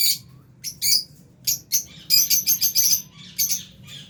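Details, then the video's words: Shrill, rapid chirps from aviary lovebirds, albino and Fisher's, come in quick strings of sharp notes with short gaps, loud throughout, over a faint low hum. "Lovebirds Sound | Birds Aviary | Lovebirds Chirping Sounds"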